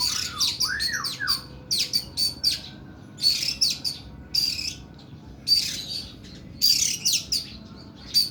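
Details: Kacer, or oriental magpie-robin, singing long and harsh 'nembak' phrases: a few looping whistled slurs open, then bursts of scratchy, buzzy high notes fired in quick clusters about every second, separated by brief pauses.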